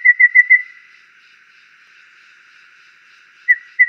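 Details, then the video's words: Golden babbler repeating short, clear whistled notes at a steady pitch: four quick notes, a pause of nearly three seconds, then two more notes, with nothing else audible. "Suara Burung Tepus Emas (Golden Babbler)"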